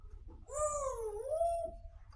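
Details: Talking grey parrot with a sweet voice in a small room gives one long, smooth, voice-like note that dips in pitch and rises again before fading, with faint soft clicks around it.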